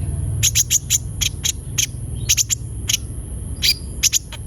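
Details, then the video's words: Javan white-eye (konin) singing actively, used as a lure to prompt untrained captive birds to sing: sharp, high chipping notes in quick clusters with brief pauses, over a steady low hum and a faint continuous high whine. "Pancingan suara burung konin gacor |002| ampuh untuk konin bahan agar cepat bunyi"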